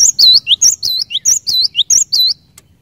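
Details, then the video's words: Gacor cinereous tit song meant to spur other tits into singing: a fast run of about ten high, sweet whistled phrases, each a bright slurred dip, ending abruptly, with faint low hum behind. "Kicauan Glatik Batu Gacor Ini Cepat Bikin Glatik Batu Lain Bunyi Gacor"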